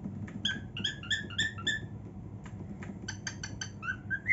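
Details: Pet female cockatiel singing happily indoors in her room, giving quick clusters of short whistled chirps, a brief gap, then sharper rapid notes ending in a rising whistle, with a low background hum throughout.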